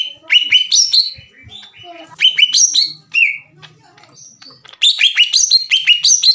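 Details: Green leafbird, 'gacor' song to provoke rival birds: bursts of rapid downslurred whistled notes, a quieter varied middle section with a long level whistle, then a dense fast run of notes at the end.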